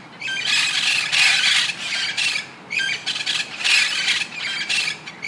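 A peacock gives two loud, harsh bursts of squealing, rasping cries, each about a second and a half long, with a brief pause between them.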